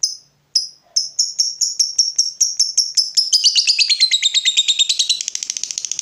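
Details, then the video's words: Fighter lovebird provoked into song: spaced shrill ticks (ngetik) speed up steadily and merge into a long, dense, chattering ngekek trill that grows rougher and faster toward the end. "Lovebird FIGHTER terpancing Panas, nyaut Ngetik lanjut Ngekek Panjang"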